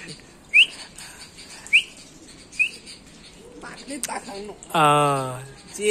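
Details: A mother bulbul protecting her young before their first flight gives three short, sharp upslurred chirps about a second apart, followed by a burst of human speech near the end.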